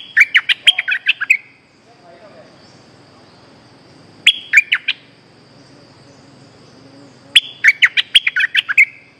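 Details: Lure calls of a streak-eared bulbul, used to recover an escaped cage bird: three bursts of rapid, bubbly chirping phrases, each about a second long and separated by roughly three seconds of quiet, over a faint insect drone.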